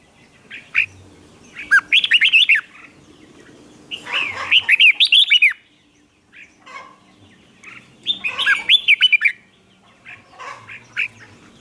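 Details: Red-whiskered bulbul in contest singing to goad wild-caught birds; three bursts of fast, rippling warbled phrases at roughly four-second intervals, with scattered softer chirps between them.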